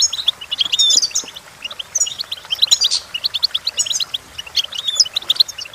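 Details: Goldfinch song for teaching goldfinches to sing: rapid, tinkling run of high twittering notes, bright chirps and short buzzy trills tumbling without pause, with a few sharp whistled accents.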